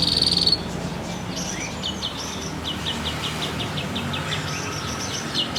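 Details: Long-tailed shrike, a caged local bird from Banyuwangi, Indonesia, noted for a varied voice and mimicry: a short loud burst, then soft high chips and a quick series of ticking notes over a quiet background.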